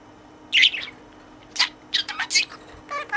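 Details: Budgerigar in a cage playing with and chattering to its toy friend: a bright chirp, then a quick series of squeaky, speech-like syllables in an uneven rhythm.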